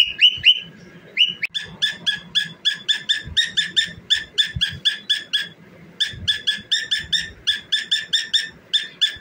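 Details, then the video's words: Cockatiel singing while dancing: a few whistled notes open, then rapid bursts of short harmonic chirps repeated in quick rhythmic groups of about four to six, pausing briefly near the middle before resuming. "Famous Cockatiel Singing and Dancing"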